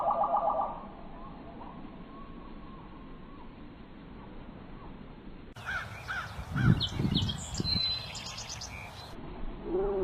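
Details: Bird sounds in a patchy, spliced recording: a brief trill at the start, a quiet stretch, then a burst of harsh, low caws mixed with higher chirps and clicks.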